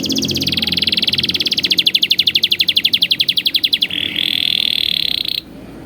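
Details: Canary training song for young birds: a fast rolling trill of evenly repeated notes that swell in loudness, then shift into a sustained buzzy high trill that stops abruptly, leaving faint background hiss.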